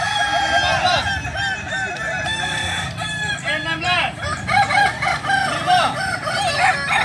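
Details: Kukuak balenggek rooster crowing at a training competition, a long series of looping, terraced notes repeated in waves, with other roosters answering and a background murmur of people.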